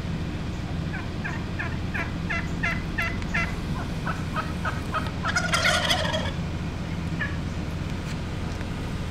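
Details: Many wild turkeys in a single spot, a run of rattling gobble notes building in a series, then a louder, harsher burst midway, with fainter gobbles trailing off against a continuous low rumble.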